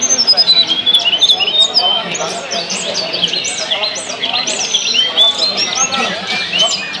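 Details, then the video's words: Tledekan song recorded to stimulate kept birds into full singing. Dense overlapping high chirps and whistled slurs, some rising and falling, in rapid bursts, with several birds seemingly calling together. "tes burung tledekan anda dgn video ini pasti langsung gacor"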